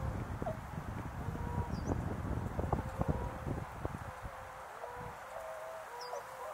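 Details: Wintering tundra swans gathered in numbers at Azumino, snow on the ground, overcast and -4°C; clear nasal honks, some level and some slightly bending, repeat from several birds amid gusty wind and rustling.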